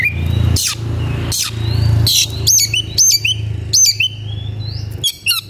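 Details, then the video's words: Oriental magpie-robin (kacer), an agitated bird seeking a rival to fight, in full song: loud whistled notes, sharp upslurs and rising slides in short bursts, over a steady low rumbling hum. "KACER EMOSI CARI LAWAN/ Suara kacer gocor dan emosi cari lawan tarung"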